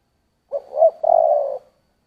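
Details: A single 'giọng thổ' phrase from a spotted dove. A short low coo, then a swelling middle note and a long, slightly vibrating hum lasting over half a second, in a quiet setting.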